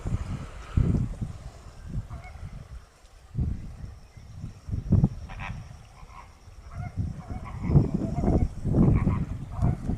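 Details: Greater flamingo calls: low, goose-like honks and gabbling bursts, repeated irregularly through a flock, with louder clusters near the start and end and a faint steady high hiss behind.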